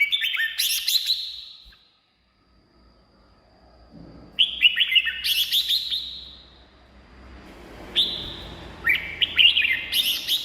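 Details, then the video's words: Red-whiskered bulbul singing, a recording used to rouse caged bulbuls or draw in wild birds: three lively warbled phrases of quick, liquid whistles, spaced a few seconds apart, with faint low background rumble. "เสียงนกกรงหัวจุก สำหรับต่อ หรือ เปิดให้นกคึก เสียงเพราะๆ"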